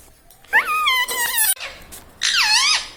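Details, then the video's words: Talking pet parrot saying human words such as "Mummy" and "Papa" indoors. Two clear voiced phrases: a long, level, rich-toned one lasting about a second, then a shorter phrase that dips and rises. "Talking Parrot"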